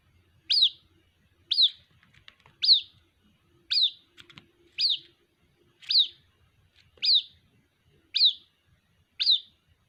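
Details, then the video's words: Young white-breasted waterhen calling for its mother with nine piercing, high downward-slurred peeps, evenly repeated about once a second, with faint rustling between. "Suara anakan Burung Ruak Ruak, memanggil Induk Ruak"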